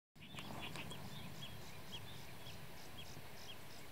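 Blue-tailed Bee-eater giving short, bright chirping notes about twice a second, fairly faint over a steady low rumble of background noise.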